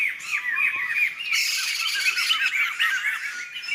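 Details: Forest flock of wild laughingthrushes, Sumatra: dense, squawking chorus of many quick, downslurred notes packed together, loud and continuous throughout.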